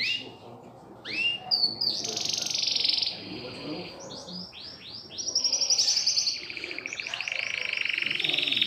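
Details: Domestic canary, a new bird kept at home being trained to sing, delivering high rolling trills and buzzy rattles, with fast repeated notes in bursts separated by short pauses and swooping whistled phrases; faint background hum.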